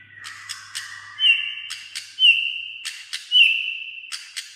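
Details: White-rumped shama, described as singing almost all day in many voices: sustained, pure whistles with a sharp upward flick at the start, broken by crisp click-like notes.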